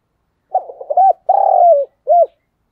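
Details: Spotted dove used as a decoy to call in wild doves, a multi-note coo: short stuttered notes, a long grating drawn-out note falling at the end, then a final arched coo.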